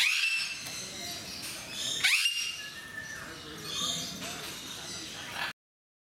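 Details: Eclectus parrots in a zoo in Mysore, described as noisy, giving harsh, loud squawks; one sharp rising-then-falling screech near the middle stands out against a busy background of other chatter and calls.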